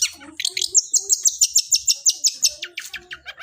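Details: Long-tailed shrike giving a sparrow-like fighting song, a rapid even series of bright, sharp chip notes, roughly five per second, with a scratchy start and finish.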